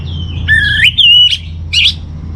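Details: Master-song phrase of an orange-headed thrush for training caged birds: a clear whistled line rising in steps, then a brief pause and a short burst of scratchy, buzzy notes, with low background hum.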